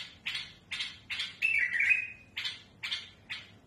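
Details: Tamed bulbul, smooth but harsh in tone, used to train young birds: short rasping notes repeated about every half second around one clear whistled flourish.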